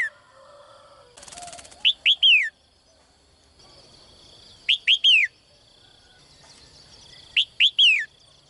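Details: Caged female bird calling at morning to win a strong male, repeating a three-note phrase of two short rising chirps and a falling slurred whistle about every three seconds, after a brief burst of rustling noise.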